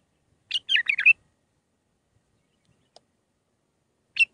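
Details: Short bulbul phrase from a Mandalawi six-phrase song meant for training young birds: a half-second run of clear warbled, rolling notes, then quiet and a single sharp note.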